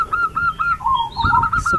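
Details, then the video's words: A zebra dove in a quiet village in Prembun, Kebumen, Central Java, gives a quick run of soft, clipped cooing notes, about four a second, steady in pitch with a few dipping lower, amid faint background noise and knocks. "SUARA PERKUTUT GACOR"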